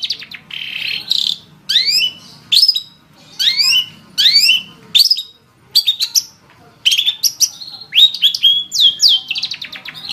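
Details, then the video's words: Long-tailed shrike singing 'gacor': bursts of sweeping, slurred whistles and buzzy notes separated by short silences, ending in a busier run of falling chirps. "Suara Burung Cendet | Gacor"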